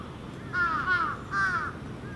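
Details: Crows at an evening roost on a Japanese hilltop terrace, young and adult birds together: two loud harsh caws, each nearly half a second, the first slightly doubled, over a constant low background rumble.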